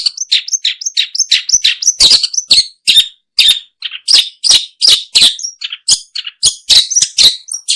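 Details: A long-tailed shrike, recorded for use in luring birds, gives a busy, fast stream of high chirps, downslurred twitters and sharper squeaks, with almost no pauses.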